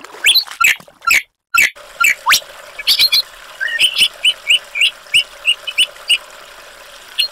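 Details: Superb lyrebird song opening with sharp clicks and crisp downward whistles, then a long run of evenly spaced, bright repeated notes, roughly two or three per second, over faint low hum.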